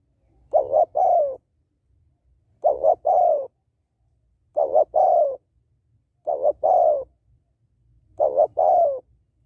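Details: Female spotted dove cooing to rouse males: five evenly spaced phrases about two seconds apart, each a quick doubled note then a longer soft falling coo, with a faint low hum underneath.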